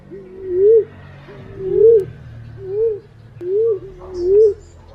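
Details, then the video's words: Green pigeon used as a lure, uttering mellow low coos that rise and slide down, five notes spaced about a second apart over quiet background noise. "Suara burung punai/walik ampuh buat pancingan"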